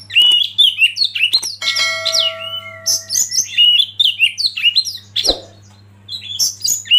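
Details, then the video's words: Oriental magpie-robin lead bird stirring other birds to sing: a fast medley of bright whistles and downslurred notes, with a steady electronic-sounding tone held for about a second and a half, then more varied phrases. "Masteran KACER Pancing Emosi dan bikin gacor yg lain"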